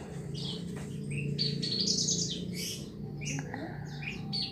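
A bush lark sings a quick, varied run of high chirps, trills and short whistles, changing note every fraction of a second over a steady low hum.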